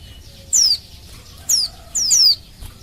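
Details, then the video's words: Oriental white-eye female calling males, used as a lure to make them sing: a long, high falling whistle, a shorter single note, then a fast doubled down-slur, all piercingly high. "Suara Burung Pleci Betina Memanggil Jantan"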